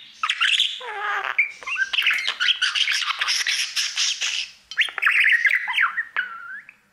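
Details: Pet budgerigar, a male, singing to its mirror: a continuous chattering warble of rapid chirps, clicks and squeaky whistles, with brief sliding whistled notes and a short pause near the end.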